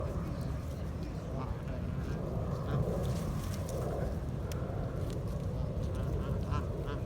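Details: Wild geese feeding in the sun give soft, nasal honks and quacking notes in an irregular, overlapping chatter against a steady low background rumble.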